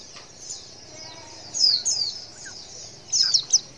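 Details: Calling female white-eye, meant to provoke males into replying; high thin downslurs that come in a pair midway, then a quick cluster of sharp notes at the end.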